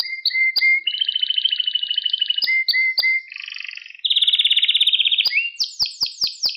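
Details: Canary singing on a training recording for young birds: upslurred whistles repeated, long rolling trills at different pitches, a high fast buzzing tour, then a run of sharp sweeping notes.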